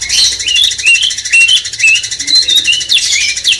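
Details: Caged cucak cungkok bulbul master song, played to stir a magpie-robin: short bright whistles rising and falling over rapid chirps, with a steady fast buzzing pulse behind.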